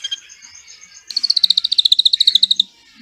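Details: Drongo song with 'cililin' filling, used to train white-rumped shamas: a thin high tone, then a fast run of about twenty sharp whistled pips sliding gradually lower before stopping abruptly.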